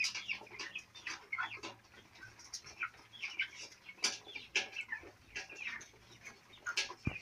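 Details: Four-week-old chicks on a farm, chirping in a flock: scattered sharp peeps and clicks, some in quick clusters, over a faint steady low hum.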